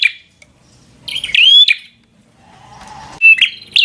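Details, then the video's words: Bar-winged prinia singing aggressively to provoke a rival: a short sharp note, a pause, then a loud burst of rising whistles and clicks, a faint lower buzzing trill, and two more piercing bursts at the close. "Suara Burung prenjak | Prenjak Gacor Full FIGHTER Bikin Prenjak Jadi Emosi Lawan"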